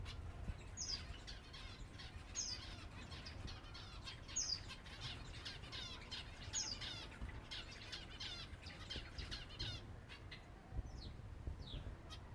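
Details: Silver Java sparrows at feeding time, a busy flock chattering with rapid short chirps and a few sharper downward-sliding notes, over steady low rumble and fluttering wings.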